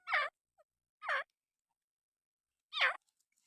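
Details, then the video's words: Francolin called irani teetr calling indoors: three harsh, rasping notes that sweep downward, separated by about a second and then a longer pause, with silence between them. "irani teetr ki awaz"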